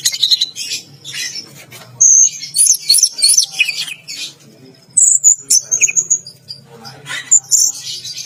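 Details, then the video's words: Caged orange-headed thrush singing in the trance-like 'teler gacor' style while bathing in a bath cage: bursts of high, sharp whistled and chattering phrases, some slurred notes, separated by short pauses, over a low steady hum. "Anis Merah Teler Gacor || Baru Kali Ini Ada Burung Mandi Keramba Sambil Teler Gacor"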